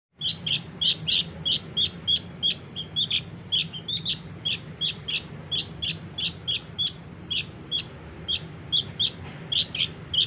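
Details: Sooty-headed bulbul chick calling to lure its parents: short, high, harsh chirps repeated steadily about every half second, each a sharp double note, over a low steady hum.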